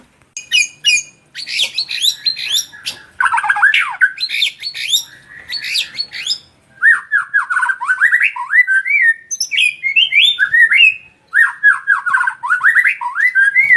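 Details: Male white-rumped shama, known as sahdu, delivering a long energetic song of harsh squawks, quick chattering bursts and clear whistled sweeps, phrases separated by brief pauses, with faint low hum behind.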